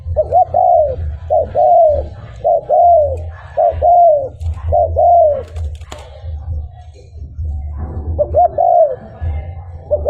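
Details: Spotted dove singing, a recording meant to draw wild doves in; paired short coos then a long descending coo, repeated steadily for several phrases before a pause and a resumption, low hum throughout.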